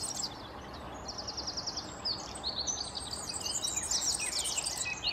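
High, fast jingling trills and sizzling chirps from a European serin, with other small birds twittering and a steady outdoor hiss behind.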